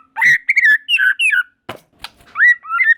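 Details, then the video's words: White-rumped shama song as other shamas join in: a few short whistled phrases near the middle range, a gap broken by sharp clicking bursts, then rising and falling whistles at the end. "Tanpa Nunggu Lama Burung Murai Batu Lain Langsung Ikut Nyambar Gacor || Voice of Murai Batu"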